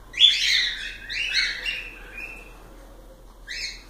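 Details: Pet cockatiels give a tumbling series of descending and flat chirps early on, fading to a quiet whistle, then one last short chirp.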